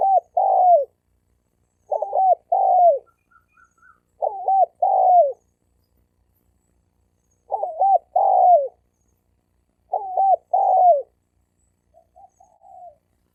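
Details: Spotted dove males in a fighting duel, used to rouse wild males: repeated three-part coo phrases, a quick double note then a longer falling coo, given about every two to three seconds, with a few soft notes between.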